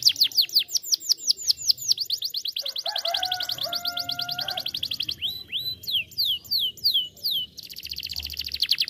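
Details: Canary lure song to prompt other canaries to sing, opening with quick descending whistles, moving into a steady rolling trill over sustained lower tones, then varied sweeps and another fast trill.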